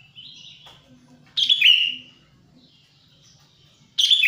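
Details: Wild sooty-headed bulbul sound for luring: a soft distant whistle, then a loud buzzy descending slurred note, and another loud note starting at the end, with quiet low background hum.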